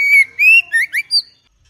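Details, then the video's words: Short burst from a caged female White-rumped shama: a sustained whistle followed by three quick rising slurred notes and a high thin ending. "เสียงนกกางเขนดง หรือบินหลาดง ใหม่ล่าสุด 2021 คมชัด 100% นกบินหลาดง ตัวเมีย"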